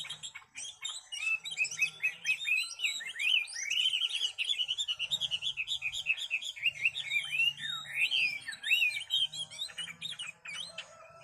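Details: Caged Chinese hwamei with a spread tail, entered in a singing competition, delivering a fast, continuous run of loud varied whistled phrases, rising and falling slurs and chattering notes, with a low hum beneath.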